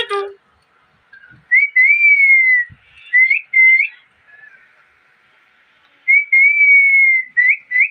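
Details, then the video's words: Ringneck parrot whistling in phrases: a long gliding whistle followed by two short upturned chirps, a pause, then the same phrase repeated. "Loud parrot noise || parrot talking sounds parrot chirping voice|| ring nick parrot"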